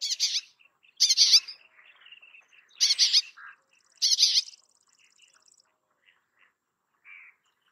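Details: Bay-backed shrike song: four harsh, buzzy chattering bursts about a second apart. Faint thin whistles and soft short notes fall between them, ending with a quiet pause and one soft note.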